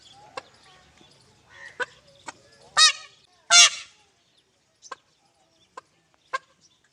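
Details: Peahen searching for a peacock gives two loud, harsh honking calls in quick succession near the middle, with scattered sharp clicks and ticks before and after.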